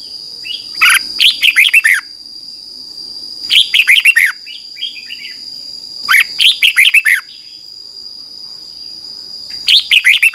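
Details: Red-whiskered bulbul morning song used to train a wild-caught bird; four near-identical phrases of five or six bright, falling warbled notes, repeated roughly every two and a half seconds, steady high hum throughout.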